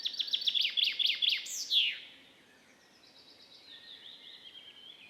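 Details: Common chaffinch, known in Estonian folk speech as the forest-keeper, sings from early April to early July. Its lively song is a rapid run of bright repeated notes that ends in a falling flourish, followed by quieter birdsong in the background.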